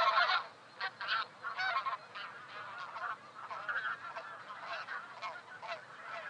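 Taiga bean geese give nasal, honking calls, several overlapping in a steady chatter from a flock, with a louder burst at the start.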